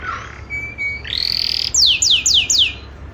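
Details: Female canary in breeding condition calling: a low buzzy note, a thin flat whistle, a rising buzzy trill, then four sharp descending whistled sweeps in quick succession.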